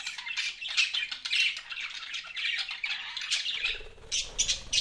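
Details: Budgies chirping without a break, scratchy warbles and squawks running together, joined near the end by a low rumbling noise.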